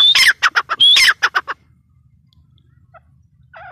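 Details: Female teetar (francolin) utters two harsh squawking bursts, each opening with a sharp high whistle followed by rapid raspy notes, then quiet with a faint low hum and a soft distant call at the end.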